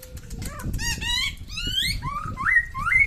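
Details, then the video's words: Samyong from NTB in full song, giving a varied string of rich, rising whistled and slurred notes that climb in pitch toward the end, over low background rumble. "SAMYONG NTB GACOR SUARA MANTAP"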